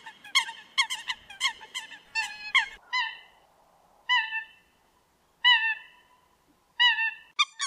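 Eurasian coot giving a quick run of about a dozen short, nasal, honking notes, then single loud honks spaced more than a second apart.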